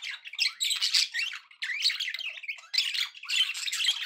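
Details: Budgerigars chattering in a happy mood: loud continuous scratchy warbling with squeaky whistled notes, in three long phrases separated by brief dips.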